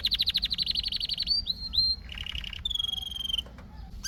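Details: Singing canary opens with a fast rolling trill, then a few swooping slurred notes, a lower buzzy rattle and a long clear whistled note, ending with a brief rising chirp.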